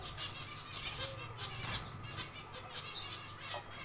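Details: Caged zebra finches busy building a nest in a small aviary, with short sharp call notes repeated unevenly about every half second. Several birds overlap over a low background hum.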